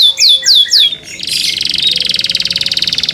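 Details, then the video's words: Canary singing that prompts other canaries to join: a few loud descending whistled notes, then a fast pulsing buzzy trill repeated many times per second. "THE SOUND OF CANARIES CAN MAKE OTHER CANARIES JOIN TO SING"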